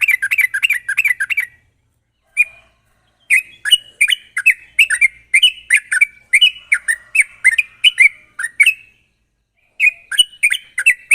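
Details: Lure song of a sooty-headed bulbul, sharp and rapid, for coaxing untrained birds into song: quick bursts of slurred chirps, a brief gap and a lone note, then another long rapid run and a final burst.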